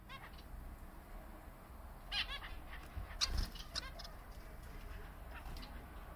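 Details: A singing Bengalese (society) finch gives short, scattered bursts of buzzy, chattering notes every second or so, over steady low rumble and a constant high hiss.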